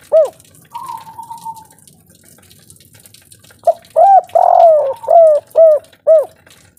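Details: Spotted dove calling in the 'kuk 3' local style: a single coo and a thin whistle, a long pause, then six deep, rounded coo notes in quick succession, one stretched and falling.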